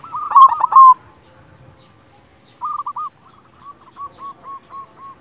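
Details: Silver-coloured local zebra dove, singing briskly: a dense loud trilled burst, a gap, then a quick group of hooked coos and a softer, evenly spaced series of five short notes.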